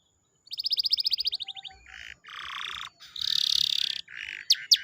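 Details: Canary song used to prompt a quiet canary into singing: a fast trill of repeated high notes, then buzzy rattling tours and a dense, even buzz, ending with two sharp rising whistles.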